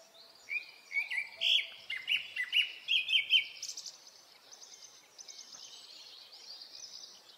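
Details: Japanese thrush (Black Thrush) singing in early-summer Hokkaido forest, Japan: a loud run of clear whistled notes and rapid repeated phrases in the first four seconds, then quieter high trills fading under steady background noise.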